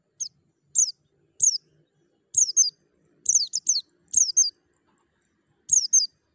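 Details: High, thin downward-sweeping chirps from a white-eye, played as a singing stimulus, come in irregular clusters of two or three notes, roughly half a second to a second apart, over a faint low hum.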